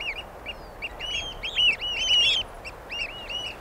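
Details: Shrill, ringing piping of the Eurasian oystercatcher, arched notes repeated quickly and overlapping at the centre, then spacing out into separate calls toward the end.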